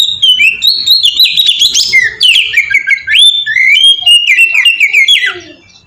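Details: Melodious ngeplong song of an oriental magpie-robin, a lure to make other magpie-robins sing: nearly six seconds of loud, rich warbling. Whistled phrases swoop up and down and link into one flowing stream.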